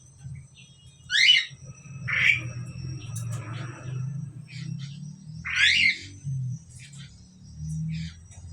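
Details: A pair of Asian pied starlings gives three harsh, grating calls spaced irregularly, with softer chattering notes between them and a low background drone.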